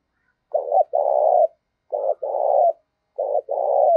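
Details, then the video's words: Spotted dove call for provoking fights, used as a decoy: three quick phrases about one and a half seconds apart, each a short rough coo followed by a longer full coo, no background noise. "tiếng cu gáy thúc đấu rất sung và dùng kích bổi rất hiệu quả"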